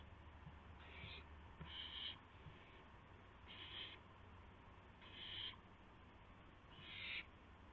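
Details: Owl calling during a gopher delivery, just after midnight on April 7, 2016. Five noisy, screechy hisses repeat every one to one and a half seconds, the last ones loudest, over a steady electrical-sounding hum.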